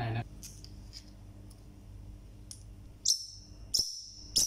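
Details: A single parrotlet gives three loud, sharp, high-pitched chirps about half a second apart, after several fainter ticking chirps; a brief human sound opens the clip indoors.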